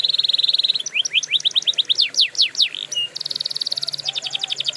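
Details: Canary singing as a training song: a fine rapid trill, a run of rising and falling swoops, a brief level whistle, then dense buzzy rolls.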